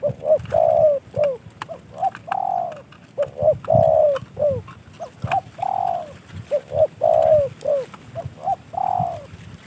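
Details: Spotted dove trained in the sanji singing style, kept as a decoy bird. It gives low mellow coos in repeated phrases, with short stuttered notes followed by a longer drawn coo. The phrases recur several times over a faint background rumble.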